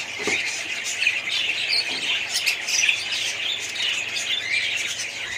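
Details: Many budgerigars in a colony chatter together, a loud unbroken wash of twittering warbles and sharp chirps, with a few brief squawks standing out above the mass of overlapping voices.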